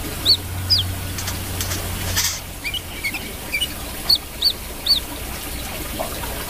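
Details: Brown-throated sunbird giving bright, piercing chirps that flick up or down, spaced at roughly half-second intervals in short groups, against a quiet low hum.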